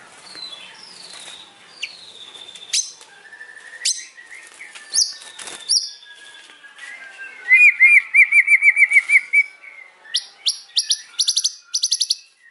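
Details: White-rumped shama song in the afternoon, showing off loud learned phrases. Scattered whistles and chips give way to a fast rolling warbled trill, then bursts of sharp high ringing notes.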